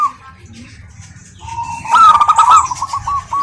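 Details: Local zebra dove hen calling a male: faint soft coos at first, then a loud rolling burst of rapid stuttering coo notes in the final second and a half.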